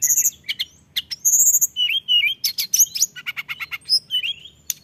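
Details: Mountain tailorbird singing vigorously: a rapid, varied run of high thin whistles, sharp upslurred and downslurred notes and short buzzy chips, with brief pauses between phrases.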